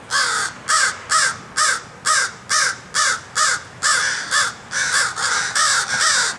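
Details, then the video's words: Persistent parent crow, lame in the right foot, scolding a nearby person to defend its fledgling in North Dakota; hoarse raspy caws repeated about twice a second, evenly spaced, loud and close. "Parental Protest"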